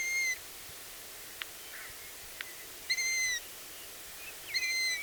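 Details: Long-eared Owl (Asio otus) chicks, at least two if not three, heard in the evening on an island, give begging calls: thin, squeaky, slightly falling whistles like a creaking gate, repeated every couple of seconds, with a couple of faint clicks.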